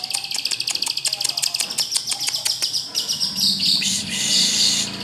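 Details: Long-tailed shrike delivering a rapid series of sharp ticking notes, about five per second, that melts into a continuous high shrill warble with brief whistled flourishes.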